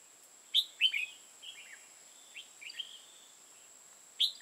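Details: Red-whiskered bulbul used as a decoy bird for trapping in Hoa Binh, Vietnam, giving short bright whistled phrases of quick slurred notes, with longer quiet pauses between and a steady high hum in the background.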